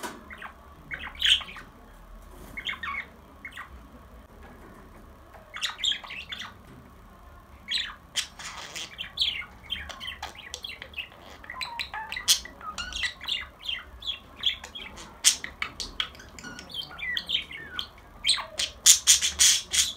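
Budgerigars chatter with rapid squawks, chirps and scratchy warbles at a high pitch.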